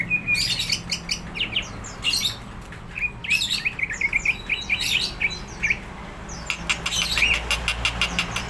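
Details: Greater green leafbird singing hard, described as hyper and ready to fight: a fast, varied run of sharp high chirps and slurred whistles in dense bursts, with a brief buzzy trill near the end over a low background hum.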